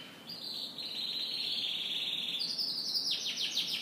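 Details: Canary singing in the morning, holding a long bright sustained whistle, then breaking into rapid repeated descending trill notes at the end, over quiet steady hiss.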